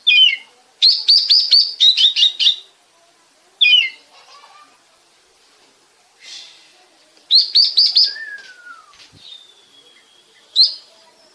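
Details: Oriental magpie-robin song used as a lure to stimulate other birds to sing, recorded in Bekasi. Bursts of rapid, bright chirps come in quick series, separated by pauses, with a clear descending whistle and a thin drawn-out note later.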